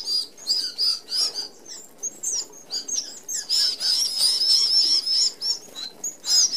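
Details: A flock of red-browed finches, an Australian native species, feeding at an open aviary feeder: steady bursts of high, shrill chirps with a continuous thin whistling tone among overlapping birds.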